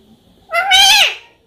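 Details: Talking parrot said to say "mummy" in Hindi: a single loud, nasal, harmonic-rich utterance lasting about half a second that rises slightly, then falls at the end. No other clear sounds.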